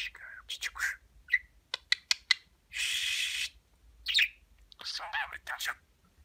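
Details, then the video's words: Pet budgerigar talking, repeating Turkish words such as babacık, aşkım and cici kuş: short raspy speech-like bursts and clicks, a longer hissing phrase in the middle, then chattering syllables indoors. "Konuşan Muhabbet Kuşu"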